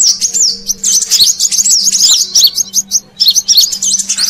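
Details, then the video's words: Brown-throated sunbird call used to lure wild birds: busy, high-pitched chittering of quick up-and-down notes, strung together with little break, over a faint low steady hum. "Suara Pikat Burung Kolibri Kelapa Manggar"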